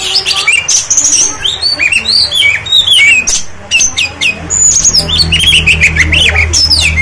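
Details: Oriental magpie-robin singing gacor, a stated trigger to make other magpie-robins answer and fan their tails: dense, rapid high whistles and chattering trills sliding up and down without pause, over a steady low hum.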